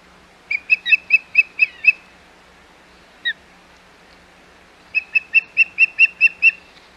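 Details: At the Hog Island nest, 25 May 2021, an osprey gives two rapid runs of about eight sharp, high whistled cheeps each, separated by a single isolated note, with a faint steady hum behind.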